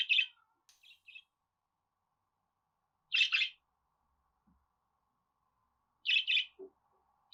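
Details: Budgerigar chirping sparsely: a few soft notes, then paired buzzy chirps about every three seconds with long quiet gaps.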